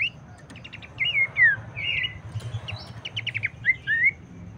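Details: Abbott's babbler, played to excite other birds of its kind into song, gives looping slurred whistles broken by two bursts of rapid, short, clicking notes, then ends on a pair of descending whistles.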